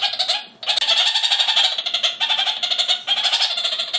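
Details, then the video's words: Male red-crowned parakeet chattering toward another male in an adjacent aviary, giving a short opening burst, a pause, then a sustained run of fast, nasal, goat-like bleating notes. "Ziegensittiche meckern"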